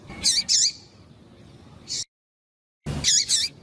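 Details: Female Rusty-collared seedeater calling to stimulate males: high, sharp double peeps with a dipping, wavering shape, given in pairs, a single note near two seconds, a short silent gap, then another pair.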